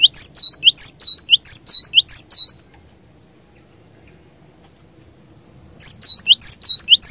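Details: Cinereous tit (gelatik batu) singing as a decoy to goad rivals: bright two-note whistled phrases, high then dropping, repeated rapidly for over two seconds, a pause of quiet, then the same ringing pattern resumes.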